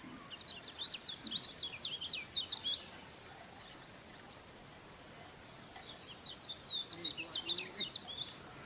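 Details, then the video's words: Kecial kuning (Lemon-bellied White-eye) singing: two bursts of rapid, high, thin twittering notes sliding up and down, the first about three seconds long, the second after a pause, over a steady high hum. "kicauan kecial kuning super ngejos"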